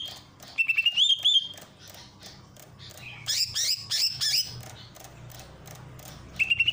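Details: Master song of a greater green leafbird from Ujung Kulon with water-fountain therapy: short runs of high whistled notes, a burst of varied scratchy phrases mid-clip, and continuous low splashing water.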